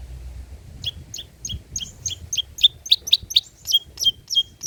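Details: Long-tailed shrike singing old-style mimicked material, a recording meant as a lure and tutor for spotted shrikes. A clear run of sharp, high chip notes repeats quickly, each note dropping in pitch, over faint low background rumble.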